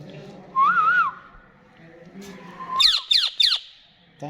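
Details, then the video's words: Pet rose-ringed parakeet known for talking: a wavering whistled phrase, a quiet rising whistle, then three harsh shrill downward squawks in rapid succession. "Ring Neck Talking Parrot"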